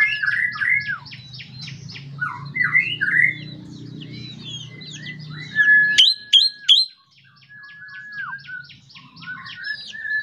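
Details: Lively morning singing of an ashy drongo, locally srigunting kantil, used to prompt other birds to sing: rapid varied whistled and chattering phrases over a low hum, then three sharp clicks and long, even whistled notes.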